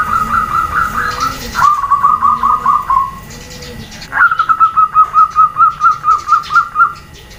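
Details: Female zebra dove giving calls meant to prompt males to answer: warbling, fluttering coos in two long phrases, each a rapid run of pulsed notes at a steady mid pitch, separated by a short pause.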